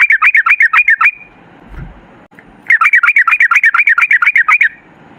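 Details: Sooty-headed bulbul in long rapid 'ropel' song, used as a lure to make other bulbuls sing: two bursts of fast, bubbly, warbled notes repeated almost three per second, separated by a quiet pause of over a second.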